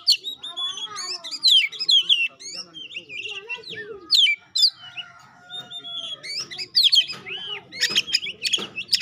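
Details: A pastol-type Oriental magpie-robin sings loud dense phrases of sweet whistles, sharp downslurred notes and chatter, broken by short pauses, over a faint background hum.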